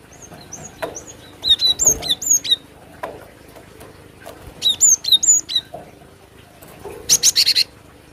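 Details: Cinereous tit singing for bird trapping, giving repeated phrases of paired high whistles that slide downward, in two clusters, with a brief buzzy chatter at the end.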